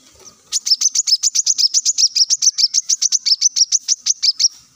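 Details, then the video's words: Brown-throated sunbird on a masteran recording meant to make leafbirds sing: a rapid, steady trill of about twenty-eight bright, high, down-slurred notes, roughly seven per second, running for four seconds without a break. "kolibri kelapa | manggar | wiceh | masteran untuk burung ijoan agar cepat bunyi gacor"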